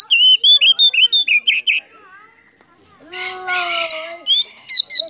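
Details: Oriental magpie-robin (kacer) full song packed with mimicked phrases, sung with tail spread open, used to stir quiet birds: a fast run of high whistled and chipping notes, a pause, a burst of buzzy harmonic notes, then more whistles.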